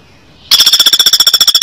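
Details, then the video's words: A woodpecker gives a sudden, high, metallic rattle of about fifteen sharp notes per second, steady in pitch. Nothing else is heard. "KICAU MANIA MASTERAN BURUNG PELATUK"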